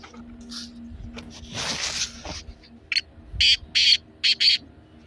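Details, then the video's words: Black francolin call meant to get a pet francolin calling: a noisy hiss at first, then a quick series of harsh, buzzy grating notes, some paired, repeated rapidly. "کالا تیتر کی بولتی آواز سن کر تیتر مست ہو جائے"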